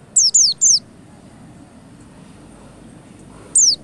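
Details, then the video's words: White-eye (pleci) lure recording meant to make white-eyes sing quickly: three quick high, thin, downslurred whistles in a rapid burst, a long pause, then one more sliding note, over faint low background hum. "pancingan pleci 💯 % cepat ngalas"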